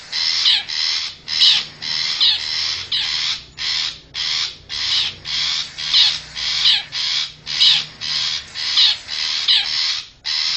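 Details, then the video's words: Wild long-tailed shrike in forest, a lure call for attracting wild birds: loud, harsh, grating notes repeated in a steady series, each about half a second long, with short gaps between. "suara pikat burung cendet hutan"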